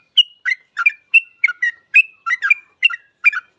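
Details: Actively singing Yellow-vented bulbul, kept to coax other bulbuls into song; a rapid sequence of bright whistled and chattered notes, some stretched and clear, others in quick pairs, about three per second.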